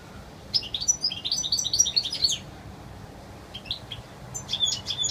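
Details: European goldfinch in wild song, pure and clear: rapid liquid twittering phrases of high, bright chirps, a short lull with a few scattered notes, then another sparkling run.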